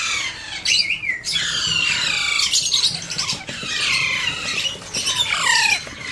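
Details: Alexandrine parakeet baby during hand feeding, uttering grating squawks with clear downward-swooping strained notes, repeated in several bursts.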